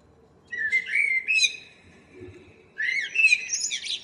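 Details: A local common blackbird's morning song, 2 April 2013: a low fluted warble, a pause, then a second phrase rising into squeaky high twitters.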